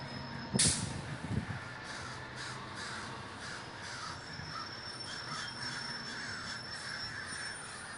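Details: Crows at a large communal gathering in Davis, California, a distant steady chorus of many cawing birds, a sharp click near the start and a thin high tone in the background.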